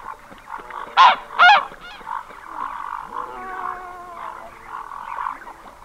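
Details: A single red-breasted goose, close, utters two piercing squeaky honks back to back, followed by a long stretch of softer, buzzy, wavering chatter.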